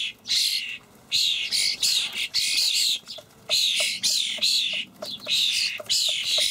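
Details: Fledgling common starlings beg as adults bring dried buffalo worms, partly taken from a feeder, in a Hamburg allotment garden on 28 May 2012. Loud, noisy screeching bursts repeat rapidly, almost continuously, separated by brief gaps.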